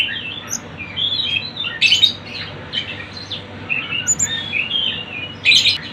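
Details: Song of the Sunda bush warbler in a crowded mix of birdsong for luring birds: soft twittering phrases broken by two loud sharp bursts, with short high whistles above.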